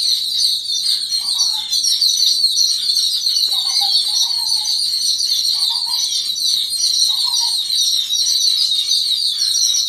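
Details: Yellow-billed babblers mobbing together against an unidentified threat. Steady high-pitched chattering fills the background, while four short, lower, falling buzzy notes stand out at intervals.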